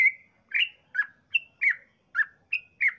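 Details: Yellow-vented bulbul singing long 'ropel' song used to make other bulbuls sing: loud, fluty notes slurring down and up in an even rhythm of about two and a half per second, with nothing else audible.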